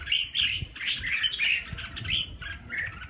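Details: Continuous mellow warbling of a red-whiskered bulbul from Vietnam, short slurred whistles run together without pause, light clicks and rustling below.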